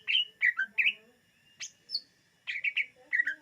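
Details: Greater green leafbird song for luring birds: quick groups of rich chirps dropping in pitch, a few high isolated notes, then another run of three fast chirps.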